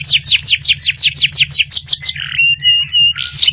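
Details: Canary rolling song: a quick even series of about a dozen falling whistled notes, then a short harsh buzz, level thin piping tones and a final rising squeal, over a low hum.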